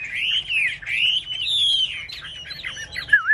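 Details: Caged Chinese hwamei hugging its cage door during a singing contest, giving long smooth whistled phrases that arch up and down, ending in quicker fluttering notes.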